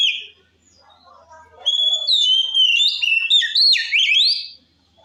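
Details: White-rumped shama singing loudly to provoke rival shamas: after a faint soft twitter, a sustained run of loud whistled notes sliding up and down, with stepped pitch jumps and tight warbles, ending abruptly.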